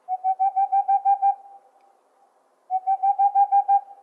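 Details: Boreal owl giving fast runs of hollow, mellow hoots on one steady pitch, about eight notes in just over a second, a pause, then the series again; clean background.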